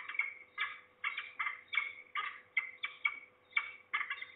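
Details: At least two falcons, possibly a young bird or a parent, heard in Trzebież, Poland, on an early September afternoon in 2019. Harsh, raspy notes repeat in quick bursts, about two to three per second, with short pauses between groups.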